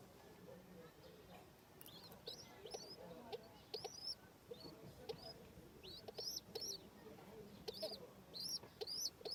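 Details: Domestic pigeon feeding its young chicks: thin, high squeaky peeps start sparse, then come more often toward the end, over low background murmur.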